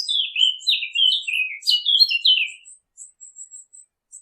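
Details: Birds chirping: a flowing phrase of descending, slurred twittering notes lasting over two seconds, followed by a handful of thin, very high, evenly spaced chirps.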